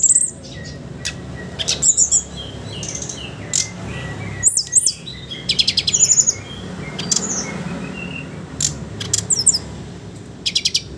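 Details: Sooty-headed bulbul song in a ngeriwik ngeplong style, used as a lure to train young birds: thin, very high whistled squeaks and sharp chattering bursts, repeated irregularly over a steady low hum.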